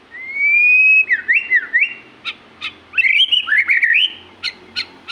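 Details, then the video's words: Magpie-robin in full, lively song: a long rising whistled note, then looping whistles and sharp clicks, then bright warbled phrases mixed with short ticking notes. "burung murai gacor"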